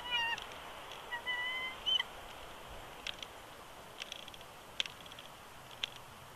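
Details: Bald eagle pair at a wild nest at Big Bear Lake, California, January 2020; the male whines and protests as the female takes over incubation. Thin, high drawn-out whines open the clip, then scattered soft clicks and taps over hiss.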